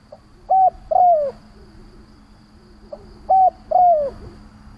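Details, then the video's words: Lure call of a captive decoy spotted dove meant to provoke wild doves: twice, a soft pickup note leads into a short coo and a longer downward-sliding coo, with a steady low hum behind. "Tiếng Chim cu Mồi gáy gọi - Chim cu gáy kích bổi nhanh nổi hiệu quả"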